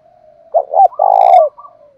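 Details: Spotted dove kept as a decoy to attract wild doves, thổ-style call: one phrase, a quick double coo and a sustained low purring coo, with soft hums before and after.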